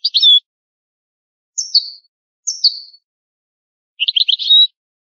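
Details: Old recording of European goldfinch song: a brief buzzy note, two separate falling slurred chirps, then a quick twittering rattle of high notes, spaced by silent pauses.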